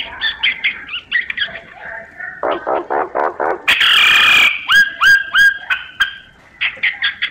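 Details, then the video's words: Myna singing: fast stacked chirps, a run of throaty pulses, a loud harsh buzz, then three hooked whistles and a closing burst of bright chatter. "Tiếng chim Sáo hót giọng chuẩn hay"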